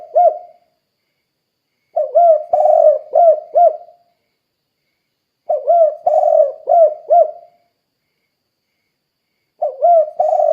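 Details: Persistent cooing of a spotted dove, played to lure other doves into calling: repeated low, hollow phrases of clipped 'kuk' notes running into a drawn coo, separated by pauses of about two seconds.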